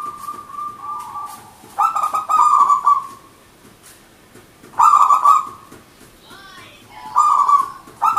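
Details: Manggung song of a local wild-type zebra dove: a steady coo, then stuttering bubbly phrases that end in long notes, with short high chirps from another bird near the end.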